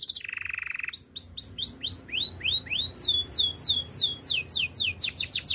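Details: Belgian canary singing its training song: a short low buzzy roll opens, followed by a long, quickening series of clear swooping whistled notes that grow faster and denser toward the end.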